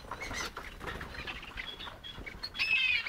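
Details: Tame captive crested partridge (roulroul) with its chicks: thin, high whistled notes, short scattered peeps, then a longer wavering whistle, over soft rustling and scratching.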